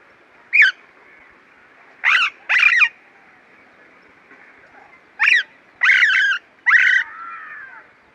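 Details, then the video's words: An Alexandrine parakeet gives six loud, harsh, screeching calls over a faint background hum: one single call, then a quick pair, then three more a second or less apart. "Parakeet calls and sounds | Alexandrine Parakeet"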